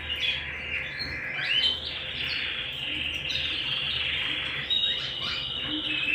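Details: Canary singing at home, rich rolling warble of dense trills and chirps held almost without pause, with a sustained high tone underneath and faint low hum.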